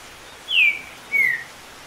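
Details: A green-winged saltator sings in rain, passing more than 10 songs a minute: two clear descending whistles, each about a quarter second, half a second apart, over a soft steady hiss of rain.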